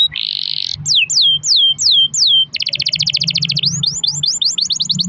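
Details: Canary singing a long rolling song, played to prompt other canaries to sing: a buzzy trill, then a series of loud descending whistled sweeps, a rapid rattling roll and fast repeated rising-falling notes; faint low hum underneath.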